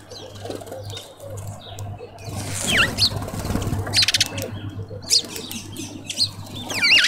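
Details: Southern red bishop visiting a tube feeder in a suburban garden in Pretoria, South Africa, gives sharp high chips and dry, sizzling buzzes at irregular intervals, with wing flutters and a low steady hum underneath.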